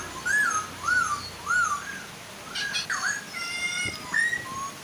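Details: Chinese hwamei pair, female and male, singing to entice other hwamei to join. Rolling, arched whistles repeat about once a second, then drop into a downward swoop and a few level notes, over faint falling water.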